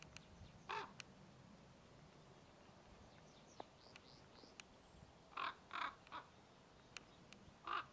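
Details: Common raven (Corvus corax) at Šinkov štradon, Ljubljansko barje, on 20 April 2024, gives five harsh, hoarse croaks: one early, a quick run of three, then a final one, with faint small-bird chirps and sharp clicks between.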